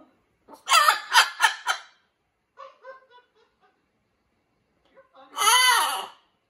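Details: Pet Jubilee hybrid macaw, caged indoors and growing more vocal in a new home, giving laugh-like calls: three loud harsh rasping bursts, then a few softer clipped notes, and finally one long harsh drawn-out squawk.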